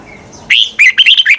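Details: Red-whiskered bulbul song in the twisting-voice style, played to train other bulbuls to sing: after a quiet half second, a burst of bright, quick warbled notes with rapid rising and falling twists.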